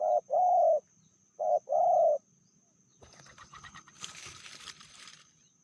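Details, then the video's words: Indonesian female spotted dove with a medium voice gives two pairs of coos, short then long, followed by rustling and a burst of flapping or scraping noise. "Betinanya lebih ganas dari jantannya/bl suara sedang"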